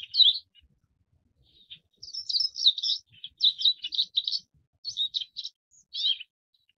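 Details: Forest wagtail (Dendronanthus indicus) producing bright, high chirps: a first burst, a short quiet gap, then a long run of quick grouped notes, some buzzy, ending in a slurred chirp.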